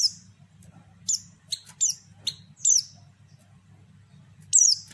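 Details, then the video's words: Female pleci, a white-eye, calling to lure and stir males to sing: bright high chirps and short downward slides, loosely spaced across several seconds, over a continuous low electrical-sounding hum. "panggilan pleci betina sangat ampuh buat pancingan pleci bahan"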